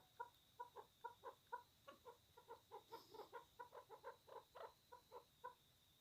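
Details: Angry pet chukar partridge during a fight giving a steady run of loud, clucking chuk notes, roughly three a second, harsh and repeated throughout with no other clear sounds.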